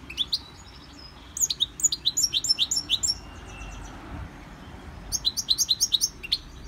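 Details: Caged European goldfinch, trained by CD in a Victorian brass cage, sings two bouncy runs of rapid high chirps, several notes per second, split by a quiet pause.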